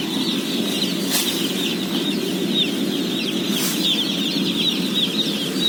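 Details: Day-old chicks being fed, 17,000 head, fill the space with continuous high peeping; a low rumbling hum underlies the chorus and two sharp clanks break through.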